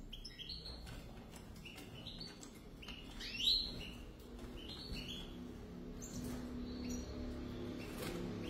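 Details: Two European goldfinches; quick stepped chirps and twitters fill the opening seconds, a brief loud trill mid-way, then sparser notes fading into a low humming background.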